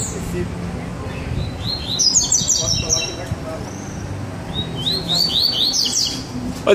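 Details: Two caged Double-collared Seedeaters in a baderna-style exchange: two separate bursts of rapid, high upslurred chirps, the first around two seconds in and the second near six seconds, with low background noise between.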